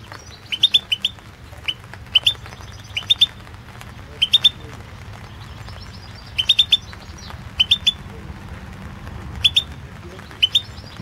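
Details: European goldfinch in a 2016 online world championship song competition recording: sparse clusters of two or three sharp, high chirps repeated at irregular intervals over faint low rumble.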